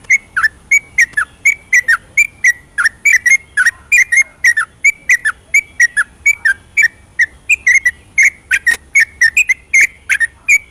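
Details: Yellow-vented bulbul in vigorous long ropelan song at night, meant to rouse bulbuls that refuse to sing: dense, rapid chains of liquid whistled notes, many paired, continuing without pause for over ten seconds.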